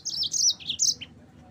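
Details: Brief fragment of yellow-fronted canary song: a few high, sliding chirped notes strung together in just over a second, then quiet.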